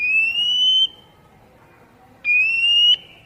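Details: Captive-training recording of Oriental magpie-robin song for wild-caught birds: two loud, clear whistles that slide slowly upward, each held under a second, separated by more than a second of quiet.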